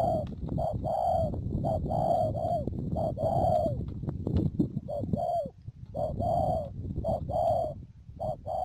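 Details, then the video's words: Spotted dove decoy for bird trapping, Mương Điều, Đầm Dơi, Cà Mau, March 12 2019; rapid series of soft hollow coos with downward-curving ends, set against constant low rumbling noise and a few clicks. "BẪY CHIM CU GÁY CÀ MAU .BỔI MƯƠNG ĐIỀU"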